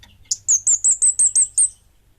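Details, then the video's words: Orange-headed thrush of the 'bunga api' type singing actively: a fast series of seven loud, very high, hooked whistled notes in about one and a half seconds, each sliding downward, over a quiet background. "Suara Burung Kemade Bunga Api Gacor!!!"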